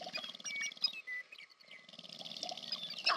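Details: Courtship display by sharp-tailed grouse, American Prairie Reserve, Montana, USA: continuous rapid low rattling with many overlapping clucks, squeaks and short whistles, briefly easing before building again.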